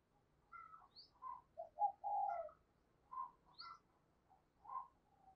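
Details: Spotted dove used as a lure bird, cooing to call in wild doves: short low hollow coo notes in uneven bursts, with higher chirps from other birds around it.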